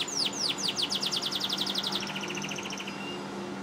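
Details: A yellow canary in a cage sings a fast run of high, sweeping chirps. They quicken into a tight trill, then settle into a steady, ringing trill over a faint low hum.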